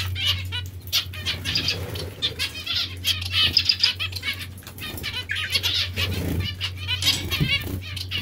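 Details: Zebra finches or Bengalese finches bathing in a cage. Many short nasal chirps rise and fall in loudness, some high thin notes among them, plus wing-flapping in water and a low hum.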